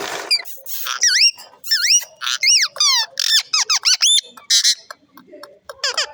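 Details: Talking parrot, mian mitho, indoors with a run of shrill squeaks and whistled notes, sweeping down then up. Quick bursts crowd together, with a fast chatter of rising strokes near the middle.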